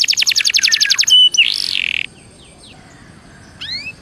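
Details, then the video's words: Belgian canary giving a brief burst of rapid high repeated notes, then a harsh buzzy note and a few scattered sweeps before falling quiet; a faint distant chirp near the end. "CANTO DE CANARIO BELGA PARA ESQUENTA"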